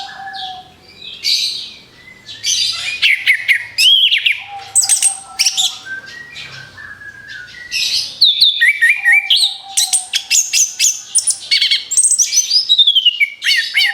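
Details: Orange-headed thrush song meant to lure other birds: after a quiet start, strings of loud whistles, chattering trills and mimic-like chirps follow in rapid bursts, with occasional low sustained whistle tones.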